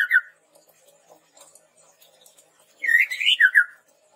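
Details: Chestnut-rumped babbler in a lure recording for training birds: one short whistled note, a quiet gap, then a quick string of rising and falling whistled slurs.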